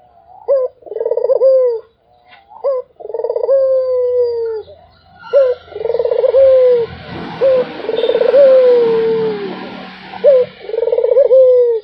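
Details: Barbary dove cooing nonstop: a short rising note followed by a long rolling, throbbing coo that slides down, repeated about every two to three seconds; a brief patch of broadband noise in the middle.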